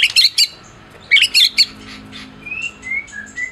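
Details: White-rumped shama of the Medan type, a champion bird, singing to rouse mute shamas; scratchy chattering bursts followed by a series of soft, short, high whistled notes.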